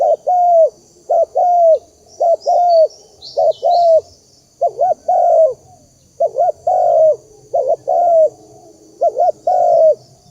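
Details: Lure call of a spotted dove for trapping: repeated soft, rounded coos delivered in twos and threes with brief pauses, plus a few faint higher chirps midway and a thin constant background hiss.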